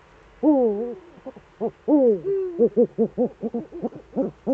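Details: Eurasian eagle-owls in the Eifel on 11 March 2013 at 18:47, both birds back: two long arched harmonic wails, then a rapid series of short stacked barking notes, about six per second, with quiet background.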